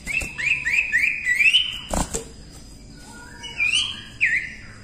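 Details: Common iora singing lively: a run of four rising-then-falling whistled notes repeated quickly, a loud knock, a quiet pause, then two more slurred whistles; meant as a tutor recording for training other birds.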